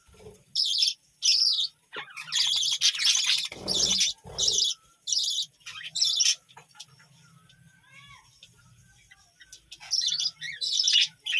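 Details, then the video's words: Budgerigars from a village-home colony give busy, warbling chirps in repeated bursts, some with squeaky rising notes, over a quiet low hum; the birds are said to call a lot in the morning. "বাজরিগার পাখির ডাক ও কিচিরমিচির গান"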